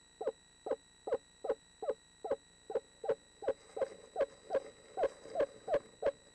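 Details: Eastern screech owl, from a pair preparing for spring nesting in 2013, giving a steady run of about sixteen short mellow hoots, evenly spaced nearly three per second, with a faint constant electrical hum.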